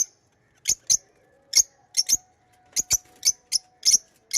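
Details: Chirping pet lovebirds: short piercing high squeaks, often in pairs, repeated at irregular intervals of under a second, over a faint low hum.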